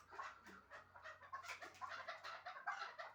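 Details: Chukar partridge from Shahritus, a hunting bird, giving dense clucking chuk notes in quick uneven bursts, mid-pitched and slightly harsh, with a faint low hum underneath.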